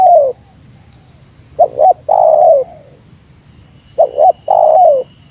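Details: Spotted dove competing with a rival, meratus-style calling: a fading coo, then two phrases each made of paired short hoots and a long, smooth, gently descending coo.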